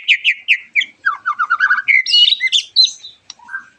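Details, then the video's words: White-rumped shama song as a lure for other shamas: a series of repeated sharp notes, a quick descending twitter, then high warbled whistles ending on a rising note. "MURAI BATU GACORAN PANCINGAN MURAI BATU OMBYOKAN ABRAGAN AGAR IKUT NYAUT GACOR"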